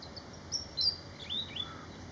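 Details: Malaysian pied fantail song: a few thin, high whistled notes, some sliding up and some down, scattered quietly over two seconds against a steady background hiss.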